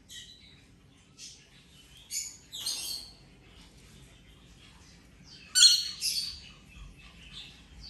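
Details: Injured Rainbow lorikeet at play during its ten-day recovery, producing intermittent shrill screeches and thin chirping notes, one strong harsh burst in the latter half, otherwise quiet surroundings.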